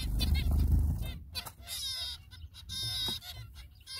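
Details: Zebra finch parents feeding their babies, giving rapid, buzzy, nasal calls over a low background rumble.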